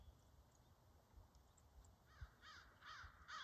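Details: Crows arriving for their meeting while a family of deer feeds nearby, recorded 2/8/24; a few harsh caws begin halfway through, spaced about half a second apart, over faint low rumbling background.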